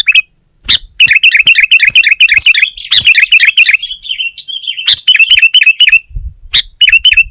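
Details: Sooty-headed bulbul song aimed at a rival, setting other bulbuls singing: fast chattering stream of chirps, a brief softer warbled passage, then clipped repeated notes with a low thump near the end.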